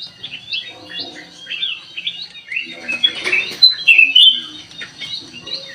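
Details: Sooty-headed bulbul singing as a lure: soft tumbling chirps give way to a loud, bright flurry of squeaky whistled notes in the middle, then quieter chatter.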